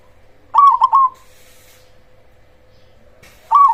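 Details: A loud cemani zebra dove sings, used to make rival zebra doves respond. One bubbling phrase of three quick coos is followed by a long gap, then the start of another phrase. A steady hum sounds throughout.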